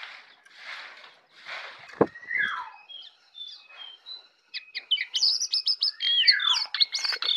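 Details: Jongkangan singing in the morning, recorded on simple equipment: soft broad chattering notes, then a descending sweep and a run of high clipped whistles and bright rapid chirps, growing louder toward the end.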